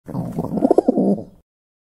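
A pigeon gives a short, low, throaty coo with a few soft pulses rising to a stronger middle before fading out, all within about a second.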